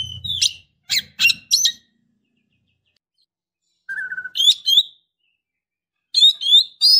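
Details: Female Oriental magpie-robin in breeding condition calling to a male, with short bursts of sharp, high whistled and chirped notes in three groups separated by pauses, plus a brief low rumble at the start.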